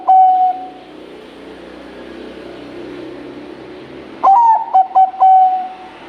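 A zebra dove gives a soft, mellow coo, then after a pause a quick run of rolling, stuttered cooing notes.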